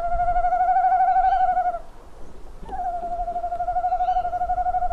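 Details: Eurasian eagle-owl pair at a nest box, 27 February 2016 at 18:41; male arrives without prey and the female flies at him. Long wavering, quavering tones held nearly two seconds, a brief pause, then another drawn-out quavering note.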